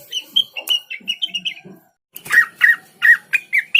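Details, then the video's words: {'caption': 'Lesser green leafbird (cucak wilis) song played to draw other caged leafbirds into singing: a soft, warbled string of chirps and low notes, a brief silence, then louder, spaced, down-slurred whistled chirps roughly every third of a second.'} "dijamin cucak Wilis mu bakal ikutan gacor mendengar suara burung cucak Wilis ini"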